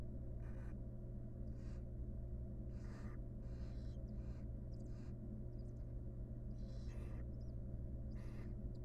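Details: Inside a wild barn owl nest box, a mother tends and grooms her chicks. Repeated breathy hisses and rasps come at irregular intervals over about nine seconds, with a loud continuous low hum underneath.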